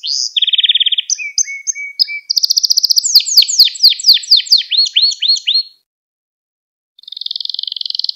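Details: A Gloster canary's training song for young canaries and for rousing others: a low even trill, short chirps, then a fast run of swooping notes, a one-second gap, and a high rolling trill.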